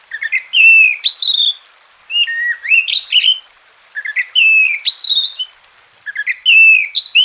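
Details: Caged Oriental magpie-robin (kacer) song used as a tutor recording to get lazy birds singing: four repeated whistled phrases, each starting with low rising notes and climbing to a loud sliding high whistle, separated by brief gaps.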